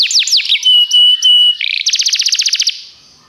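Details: Belgian canary singing: a few swooping whistles, a held pure tone, then a quick rattling trill that fades out.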